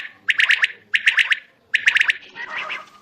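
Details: At night in Pakistan, a quail gives three quick bursts of four or five sharp, bright notes, each burst about three-quarters of a second apart, followed by a softer, buzzy rasp.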